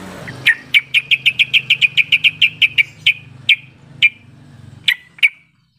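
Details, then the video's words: Yellow-vented bulbul call used to prompt silent bulbuls into answering: a quick run of sharp, bright chips, about five a second, slowing to a few spaced notes, over a faint low hum. "Suara panggilan trucukan yang seperti ini cepat merangsang trucuk bisu jadi ikut bunyi sahut sahutan"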